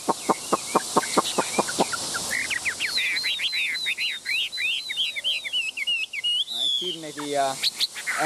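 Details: Very tame, selected Chinese hwamei taken out to a café: a series of sharp, evenly spaced clicks, then a fast run of loud whistled notes that arch up and down, ending in harsher, buzzy descending notes.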